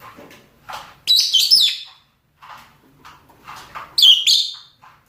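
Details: Rosy-faced or Fischer's lovebirds, male and female, calling for mating: loud shrill screeching chirps around one second long, a pair of bursts near the start and another later, with softer chatter between.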